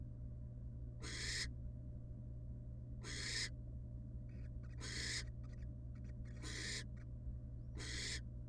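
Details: At a wild barn owl nest box where the mother returns to her young after bringing up a pellet, five hoarse hissing screeches sound about every two seconds, with faint scratchy rustling between them and a steady low hum.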